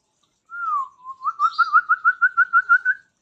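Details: White-rumped shama giving a single low, clear whistle that drops in pitch. It is followed by a steady, regular series of about ten short, evenly spaced whistled notes, loud and close.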